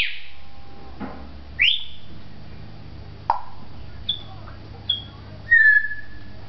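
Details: At a Beit Hanina pet shop in Palestine, a talking African grey parrot gives scattered whistles: a high upward slide, short pure pips and a closing falling whistle, spaced by quiet gaps over room hum.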